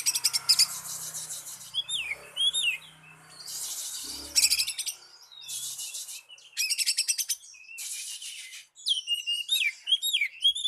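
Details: Oriental magpie-robin song used to lure and call a rival: varied bursts of buzzy, rasping notes alternating with sweet slurred whistles, loud and dense, with brief quiet gaps between phrases.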